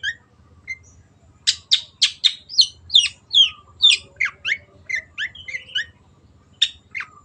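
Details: {'caption': "Singing long-tailed shrike, a loud 'gacor' performer, delivers a rapid jumble of clipped high chirps and scratchy downslurred notes. After a short pause it gives a steady burst of sharp notes about twice per second, then trails off into scattered calls over a faint low hum."}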